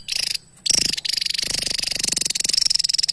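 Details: Song of a Javan tesia, recorded as training material for other songbirds: a brief high burst, a short pause, then a sustained, piercing, rapidly pulsed trill running to the end, with a thin whistled tone laid over it.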